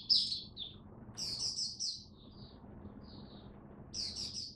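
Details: Kept oriental white-eye during cold rainy weather, October 2022: scattered short bursts of high squeaky twitters at the start, middle and end, fairly quiet against a noticeable low background rumble.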